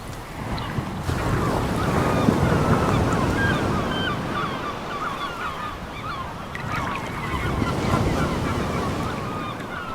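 Many gulls call over and over in short, mewing cries, several at a time, against a steady roar of crashing surf and wind.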